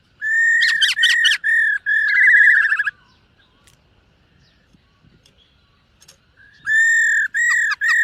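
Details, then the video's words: Morning song of a silver-eared laughingthrush training its voice: bursts of sharp chirps over steady whistles, a rapid trilled stretch, several seconds of quiet, then more held whistles broken by chirps. "Khướu BẠC MÁ hót MÚA luyện giọng . Khướu hót sáng luyện giọng kích bổi"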